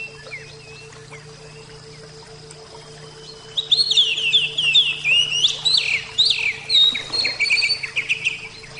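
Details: Javan oriental magpie-robin (kacer jawa) from a therapy recording: about three seconds of near silence with a low hum, then a loud burst of sweeping whistled phrases, trills and sharp chirps.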